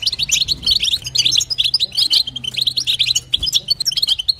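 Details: Female European goldfinch call to stimulate the male: bursts of bright, quick chirps and twittering phrases separated by short breaks, low steady hum underneath.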